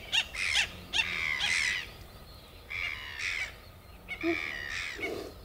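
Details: Red-gartered coot, a waterbird of lakes and lagoons in Chile; drawn-out nasal, buzzy squawks in pairs and short groups, separated by brief pauses, with a low hollow note near the end.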